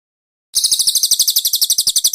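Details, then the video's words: Konin with cililin song content, on a training master for cage birds: after a moment of silence, a continuous high, rapid, buzzy trill of evenly repeated notes. "MASTERAN BURUNG KONIN ISIAN CILILIN"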